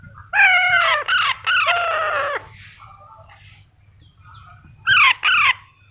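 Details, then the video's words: Young Alexandrine parakeet kept as a pet, calling with drawn-out raspy screeches and shorter paired squawks, a long harsh call near the start, then a pause before two more rough bursts. "alexandrine baby parrot"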